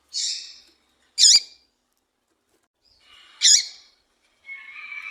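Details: Female double-collared seedeater call, used to excite and attract males: sharp, high, twangy call notes spaced one to two seconds apart, ending with a softer buzzy note.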